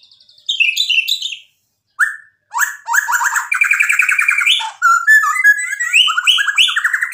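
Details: Lively white-rumped shama song meant to stir other birds into answering: high squeaky notes, a short silence, then dense stuttering chatter, a sustained buzzy trill and bright repeated upslurred whistles.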